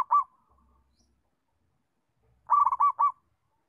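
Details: Local zebra dove with a settled song used for training other doves: a clipped note at the start, then after a pause one full phrase of five quick, rolling, bubbling coos.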